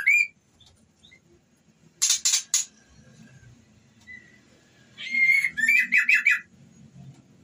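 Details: Female white-rumped shama in breeding condition calling to the male: short harsh triple rasping bursts and a clear rising whistle, then a series of quick repeated chattering notes, with a low background hum.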